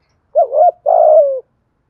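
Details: Spotted dove from Đồng Nai cooing to draw in wild doves: two low, hollow coo phrases, the first broken and wavering, the second longer and drawn out with a slight downward slide at the end, in quiet surroundings.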